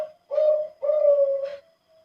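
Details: Bangkok-line zebra dove bred for song contests in Wajo Sengkang, South Sulawesi, with a thick, deep voice. It gives two long, low, mellow coos, the second slightly longer, in quiet surroundings.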